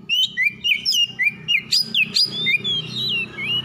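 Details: White-rumped shama heard in the morning, a caged bird recovering from stress: rapid loud whistled phrases with sharp upward and downward slurs, repeated several times a second, over a low background hum.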